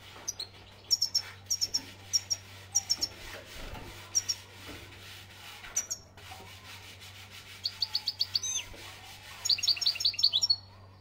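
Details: European goldfinch singing in Algeria, bursts of high twittering notes with short pauses between, against a steady low electrical hum.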